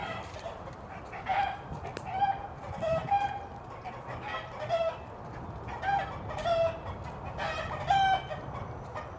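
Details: Rooster signalling a hawk or danger so all the hens go hide; uneven series of hoarse clucks and squawks, several per second at peaks, with a low hum underneath.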